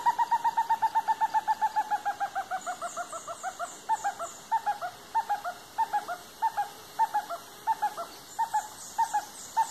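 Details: Stresemann's bristlefront, the last known female of her kind, gives a fast run of clear mid-pitched whistled notes, then broken, spaced doublets; faint high chirps from another bird behind.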